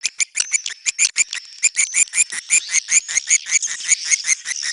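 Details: Swiftlet call in the style called netral (neutral): a steady run of short, bright, clicky chirps repeated about once a second, each stacked with high harmonics, over a faint continuous high whine.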